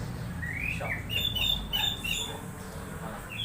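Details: Orange-headed thrush producing odd sounds in an excited state, used to prompt other thrushes to sing; soft rising whistles then a series of short high squeaky notes repeated quickly, fairly quiet against a low rumbling background.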